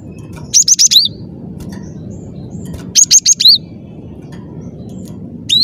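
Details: Cinereous tit singing in clear bursts roughly every two and a half seconds, each a quick trill of high sharp notes ending in a rising slur, with low hum behind.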